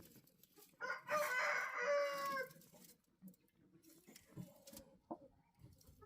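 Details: Single rooster crow lasting about a second and a half, loud and richly harmonic with a slight falling tail, then quieter clucks and scattered knocks.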